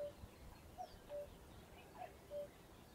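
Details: Somerset's RSPB Ham Wall reserve, UK: a common cuckoo gives clear two-note falling calls, cu-ckoo, twice in quick succession over soft outdoor background.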